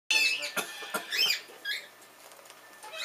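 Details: Triton cockatoo responding to a recording of a bare-eyed cockatoo, giving harsh, raspy screeches in three quick bursts over about a second and a half, then a softer rasping squawk; a bare-eyed cockatoo in the background.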